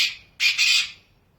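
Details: Black francolin in the wild in Pakistan: a harsh, scratchy, high note fading out, then two loud grating bursts run together into one rasping phrase.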